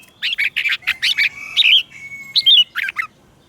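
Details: Singing red-whiskered bulbul, a lure bird meant to call wild bulbuls to duel, delivers clusters of liquid whistled notes with pauses, over faint low background rumble.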